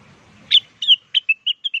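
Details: Blue-winged leafbird lure song, used to draw wild birds into answering: a quick run of about seven bright whistled notes. The first notes are sharp and slurred, and the later ones are shorter, clipped and evenly spaced.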